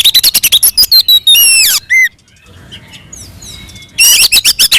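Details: Oriental magpie-robin in aggressive fighting song, used as a lure to provoke rival magpie-robins. A fast rattle of sharp notes leads into long downslurred whistles, a pause with faint soft calls, then more rapid chipping.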